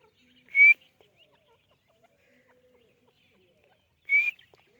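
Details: Two sharp, high whistled notes from a grey francolin (white teetar), each short and rising a little, about three and a half seconds apart, with near silence between them.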